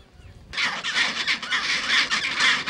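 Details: Chinstrap penguin in Antarctica, on the peninsula or at Deception Island: a sudden harsh, raspy call that begins abruptly and continues in rapid throbbing pulses for over two seconds.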